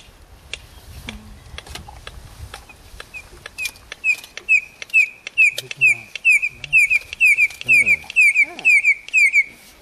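A red-crested korhaan starts with sharp, spaced clicks that speed up, then breaks into loud, high, piping whistles about twice a second. A low rumble sits underneath at first.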